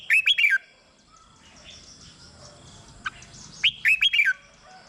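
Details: Caged red-whiskered bulbul, played to make other birds lively: two crisp phrases of four fluty, slurred whistles each, separated by about three seconds of near quiet with a single faint chirp.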